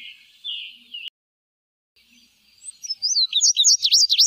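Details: Indigo Bunting: a short stretch of high sliding notes, a second of silence, then a rapid series of sharp high chirped notes, paired and dropping in pitch, which grows louder toward the end.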